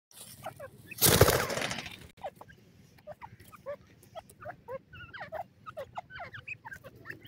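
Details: Francolin (teetar) chicks at feeding time give short, thin chirps rising and falling in pitch, scattered through the clip with pecking clicks. A loud broad rushing noise fills the first seconds.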